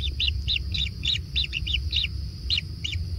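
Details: Kingfisher chicks at a natural nest during feeding, uttering a short series of bright high chirps, a few grouped closely, then a slight pause before two more.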